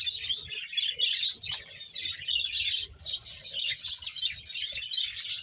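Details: Around 100 pairs of budgerigars kept as a colony in Bahawalpur chatter in high, overlapping warbles and chirps, then the sound shifts to a rapid run of sharp, evenly spaced clicking chirps over the ongoing flock babble.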